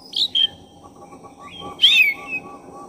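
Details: Lure recording of an actively singing black-breasted oriental magpie-robin meant to excite other magpie-robins: two short bright whistles, then a loud swooping whistled phrase trailing into a softer descending note, with low background hum.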